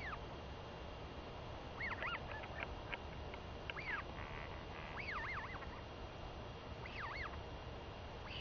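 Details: Northern royal albatross chick begging her returned mother for food, recorded 23 May 2021; scattered groups of wavering, squeaky arched calls separated by pauses, against a steady rushing background.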